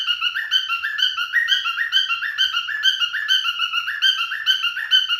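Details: A male cockatiel sings during mating display, pouring out quick warbling whistles in repeated rising-and-falling phrases, steady rhythm, clean recording without other noise.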